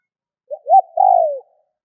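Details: Spotted dove calling to prompt other doves to call: a single phrase with a brief low note, a rising note and a long smooth coo that drops at its end.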